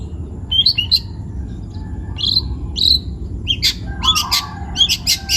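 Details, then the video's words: Young forest long-tailed shrike from Pati, Central Java, singing: spaced bright chirps and rising squeaks, followed by a dense burst of sharp clicking notes with a low whistle beneath. "CENDET PASTOL MUDA HUTAN (MH) GACOR BUNYI"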